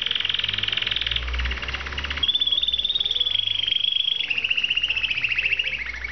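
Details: A pet canary named Martin sings in fast, rolling trills, with several tours of rapidly repeated high notes that step up and then slowly drop in pitch.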